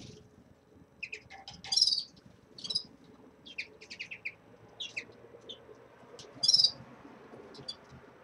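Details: Caged red-fronted serins at the start of moult give scattered soft twittering notes and a few louder bright chirps over a steady low household hum.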